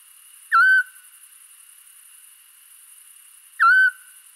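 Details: A Eurasian scops owl (Otus scops) gives two short, mellow whistled 'chiù' notes about three seconds apart, over a faint steady high hum. Recorded 5 April 2019 at a ringing station in the Scrivia valley, Alessandria, Italy.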